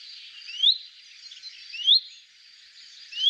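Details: A common chaffinch gives its call: short, clear, upslurred whistles about every 1.2 seconds, against a steady high background hiss.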